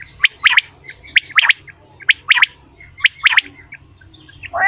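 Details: Quail in the morning giving quick, snappy triple notes, four clear groups in a few seconds, each a fast three-beat burst, followed by a softer trailing sound at the end over low hum.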